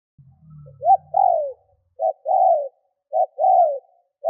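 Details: Lure spotted dove cooing to attract and provoke wild birds: a faint low rumble at first, then paired coos of a short note and a broad, falling coo, repeated about every second.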